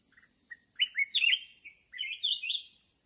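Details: Wild red-whiskered bulbul, fired up, at day's end on a trapping outing, opening with soft single chips then bursting into loud, bright slurred phrases, a steady insect drone in the background.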